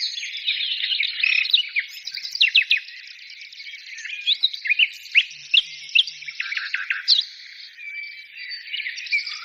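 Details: High twittering birdsong with sharp downward chirps spaced irregularly through a continuous warbling background of many small voices; nothing else audible.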